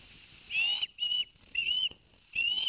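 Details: Ospreys at a nest on a live camera at Barnegat Light, New Jersey, 11 September 2021, after the adult male delivered two fish to the young: four clear, whistled, slightly rising notes, each about a quarter second long, spaced roughly every half to three-quarters of a second.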